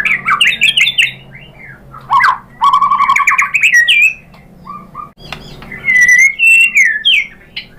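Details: Varied song of a white-rumped shama: quick whistled slurs, a run of low rapid chattering notes, short pauses, then clear rising and falling whistled phrases, played to make other shamas reply.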